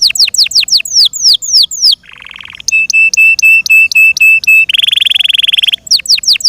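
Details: Yorkshire canary singing a varied song: rows of quick downslurred whistles, then a buzzy trill, a run of bright repeated ringing notes, a second harsh buzzy trill, and more falling whistles at the close.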